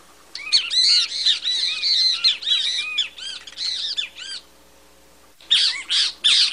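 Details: Great kiskadee delivering a fast, excited chatter of harsh arched notes for about four seconds, then a short pause and a few more loud bursts.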